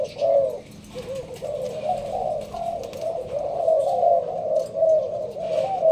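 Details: Malaysian spotted dove kept in a leaf blind in Binh Duong, Vietnam, cooing in the sparse thúc gù style: a low coo, a short pause, then a steady chain of warm, wavering coo notes.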